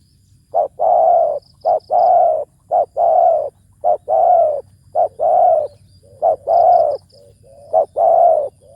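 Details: Deep-toned spotted dove decoy on the ground, cooing in the ku ang kham style. Short clipped notes alternate with longer mellow coos in a steady series, roughly one per second, over faint high ticks.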